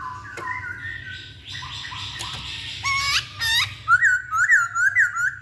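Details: Masked laughingthrush lure song meant to set other birds singing: mixed whistles and harsher notes, then a bright series of rapid up-and-down whistled notes repeated about twice a second.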